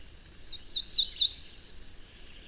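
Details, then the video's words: A male Cerulean Warbler from a southern Indiana breeding population sings another song-type variation: a quick run of high, slurred notes that speed up and end in a short, dry, very high buzz, in quiet surroundings. "So here's another variation of this Cerulean Warbler song. If you listen to this, see how it sounds a little bit different."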